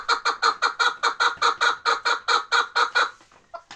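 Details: Steady, evenly spaced chuk-chuk notes from a chukar partridge in the Bartang area of the Pamir, about fifteen harsh clucks in three seconds, then fading to a couple of softer notes.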